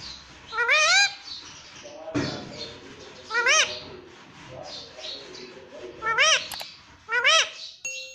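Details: Indian ringneck parakeet talking, saying "mummy": short rising harmonic utterances repeated about every two to three seconds over a steady background hiss, with a sharp click near the middle.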